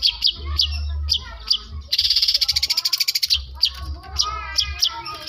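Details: Long-tailed shrike from South Malang, Indonesia, mixing lovebird and canary imitations: sharp separate chirps, then a dense buzzing trill for about a second and a half, then more varied chirps over a low hum.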